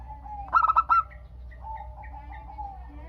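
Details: Local zebra dove singing as a lure for other doves to call back: one rapid burst of four clipped coos, then only softer, lower, drawn-out notes in the background.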